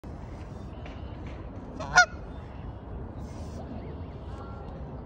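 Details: A father goose, calling desperately to find his separated mate, gives one loud, harsh, nasal honk about two seconds in, with only a steady low background rumble before and after.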